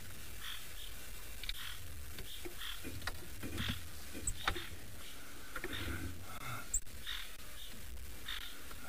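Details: Crested Francolins at sunset on safari give harsh, scratchy alarm calls in short bursts every second or so, possibly at a snake or leopard, over a heavy low rumble and a man's voice.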